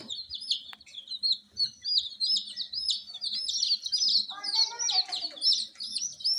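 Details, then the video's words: Just-born frizzle (fracas) chicks calling loudly at night, a flock producing continuous shrill peeps, many with a downward-hooked shape, packed closely together; a brief lower-pitched harmonic call joins near the end. "Tot Murgi Chicks Chirping Sounds - Just Born Baby Gallina FRACAS Chicks Piar Loudly Sound"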